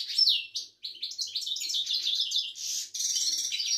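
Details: Moroccan Widani goldfinch (mqnin) singing: a rapid, tinkling run of twittered, slurred high notes with short buzzy phrases, barely pausing and ending in a harsher rasping trill.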